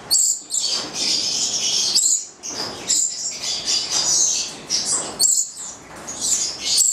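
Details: Captive Italian-bred pair of nine-month-old Stella's lorikeets (goliathina) screeching harshly in repeated high bursts, each a few seconds long and separated by brief breaks.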